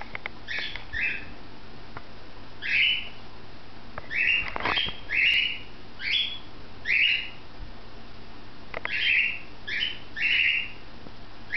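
A cockatiel gives repeated bright, rising chirped whistles, a few each second in short bursts.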